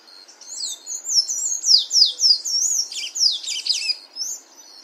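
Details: Outdoors in nature, a sayaca tanager sings a rapid series of high, squeaky, up-and-down slurred notes, thickening into a busier twittering passage midway.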